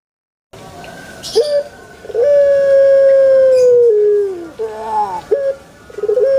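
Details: Pelung chicken in a banana garden crowing: brief rising notes, then a smooth level tone held for about two seconds, stepping lower before dying away, then a few short wavering calls.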